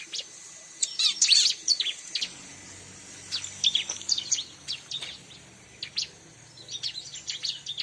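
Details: A bar-winged prinia's song for bird luring: loud, very high, squeaky chirp bursts in quick clusters, a short pause, then more scattered sharp notes and trills, clean with little background noise.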